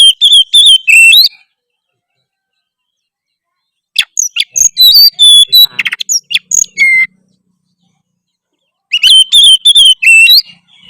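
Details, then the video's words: Loud, varied oriental magpie-robin song said to make other magpie-robins respond. Three rapid bursts of clear whistles, trills and quick slurred sweeps are separated by several seconds of silence. "kacer apasana pasti respon denger suara kacer gacor satu ini"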